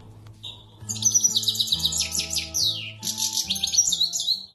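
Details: Singing goldfinch delivering quick, bright, chattering trills with some downward-sliding buzzy notes. The song pauses once briefly before carrying on, over a faint low tonal hum.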